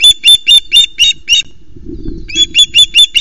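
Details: Osprey at its nest on Loch Arkaig, Scotland, during a fish delivery; rapid run of loud, shrill whistled yelps, a brief rustle and thump, then the yelping series resumes at the same brisk rhythm.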